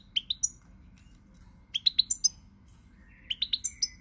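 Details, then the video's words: Short phrases of pied European goldfinch song, 20 March 2020: three tight groups of bright, tinkling chirps, each of three to five notes, separated by brief quiet gaps. "GOLDFINCH SONG"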